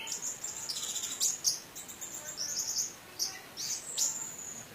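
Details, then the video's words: Orange-headed thrush, Indonesia, 'teler' lure song with rich fill meant to raise emotion and draw out song in stalled birds; thin, very high drawn-out whistles with sharp piercing accents, insect-like in tone, steady and continuous. "BURUNG ANIS MERAH TELER !!! | Isian Mewah"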